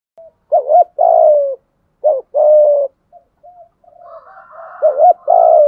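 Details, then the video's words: Spotted dove decoy luring other doves with its full set of calls: two low coo phrases, each a short double note and a sustained falling tone, then faint soft notes and another coo over a rough higher-pitched background call. "thuc gu gay goi chim cu gay/ chim cu gáy mồi ra đủ bài"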